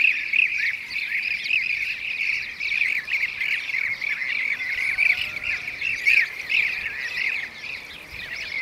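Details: A chattering group of Blue-cheeked bee-eaters, Şanlıurfa, Turkey, 2016. Throughout, many rolling, trilled notes overlap in an unbroken chorus.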